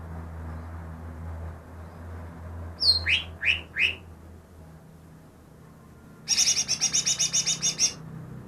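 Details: Recently captured greater green leafbird, said to copy ten other birds' songs: three sharp downward-sliding whistles, a pause, then a fast rattling chatter of about a dozen high notes over faint low background hum.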